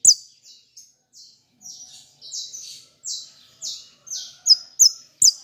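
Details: Saffron finch giving fibra song: a varied run of buzzy, falling notes of uneven length, building into loud, sharp, high notes repeated quickly at the close.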